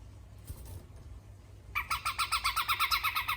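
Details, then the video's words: Grey-cheeked bulbul from Sumatra, trained for song: after quiet rustling, a rapid series of repeated bright chirped notes begins midway, about six per second, with harmonics stacked high. "Besetan cucak jenggot sumatra"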